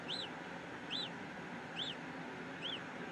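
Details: Peregrine falcon in Brussels, Belgium, on an April 2016 afternoon: four ringing, arched high notes spaced under a second apart, distinct above a constant low urban traffic drone.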